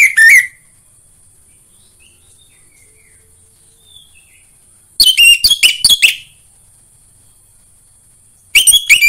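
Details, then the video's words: Orange-headed thrush song meant to stimulate singing in birds kept at home: three short bursts of quick, twittering whistled notes several seconds apart, with faint hiss between. "PANCINGAN AMPUH UNTUK BURUNG DIRUMAH UNTUK SEGALA JENIS ANIS MERAH SUAPAYA CEPAT GACOR"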